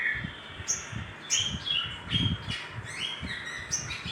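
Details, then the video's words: Little spiderhunter calling as a lure for other birds: high sharp chips alternating with shorter falling whistles, several notes per second, over soft low rumbling. "Pancingan Sogok Ontong Sogon Gacor"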